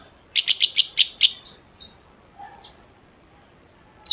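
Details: Long-tailed shrike song, intended as a lure to make shrikes sing: six rapid, evenly spaced harsh chirps, then near silence with a faint note or two before a new sharp call.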